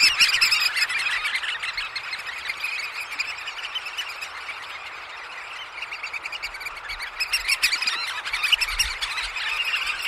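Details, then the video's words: Close-up recording of a roosting flock of Eurasian oystercatchers at Snettisham, early morning. A continuous dense mass of high, shrill piping calls overlaps throughout, dipping slightly mid-way before swelling again. "Oystercatcher. Early Morning. CU Calls From Oystercatchers At Roost."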